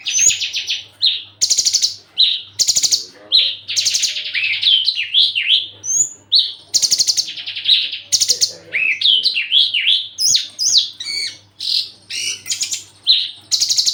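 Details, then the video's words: Javan bush lark in strong breeding condition, wanting to mate, courting another bush lark while fluttering its wings and raising its crest. A varied, rapid high song of buzzy bursts, twisting whistles and sharp chirps runs almost continuously. "branjangan lagi over birahi minta kawin"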